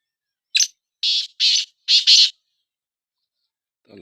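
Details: Black francolin in a calling contest between two francolins: a short introductory note, then four loud, harsh, rasping notes in two quick pairs, the phrase lasting under two seconds against a quiet background.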